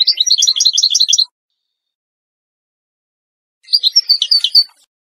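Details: Moroccan Wedani European goldfinch song meant for teaching chicks: a dense burst of quick, jangling twitters, a silence, then a shorter, scratchier phrase of chirps.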